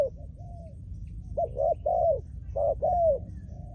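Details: Spotted dove trained as a decoy, with soft introductory coos followed by two loud phrases, each a clipped paired note and a drawn-out mellow coo that dips at the end.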